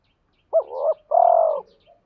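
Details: Cooing male spotted dove, used to provoke fighting and call a mate: one short rising hoot sliding into a soft coo, then a longer rolling, purring coo that fades downward.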